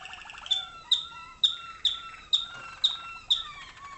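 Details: Caged adult waterslager (malinois) canary tutor in North Canton, Ohio, USA, singing water tours for 2011-hatched young in darkened training cages: low rolling trill, then a series of sharp bright notes each trailing into a sustained warble, about seven repeats.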